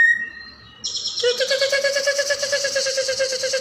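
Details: Leafbird training song for other songbirds: a clear whistled note, a high buzzy tone, then a loud, full, rapidly pulsing buzzy note that is held steadily.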